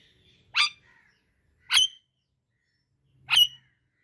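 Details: Indian ringneck parakeet giving three harsh, screechy calls with rich harmonics, spaced roughly one to one and a half seconds apart against a quiet background.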